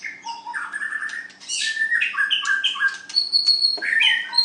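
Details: White-rumped shama singing in a contest, a dense rapid medley of whistles, harsh chatters and high buzzy notes with no pause.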